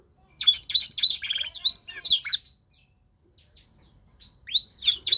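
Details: Young canary during singing training, being tutored to imitate a master song: a two-second burst of rapid, high twittering trills and warbled phrases, then near silence, then the warbling resumes in the final second.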